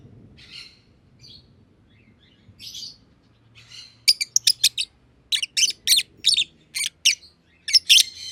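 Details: Aviary masked lovebirds, one green personata and one green pied, begin with soft, distant chatter over a low background rumble. Loud, piercing chirps then follow at a steady pace, about two each second.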